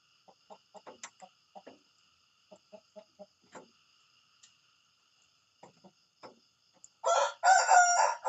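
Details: Morning rooster: soft, scattered clucking notes give way to the loud, raspy start of a crow that is cut off at the end.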